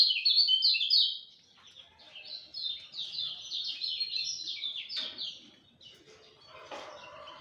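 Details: Lemon-bellied white-eye at dawn, giving a loud burst of rapid high twittering that fades into softer chattering notes, with a few scattered background sounds.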